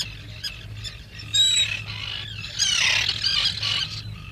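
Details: Black guillemot at the nest burrow during its once-yearly breeding visit ashore: a brief pure whistle, then a longer harsh, squealing chatter of high notes over a low hum.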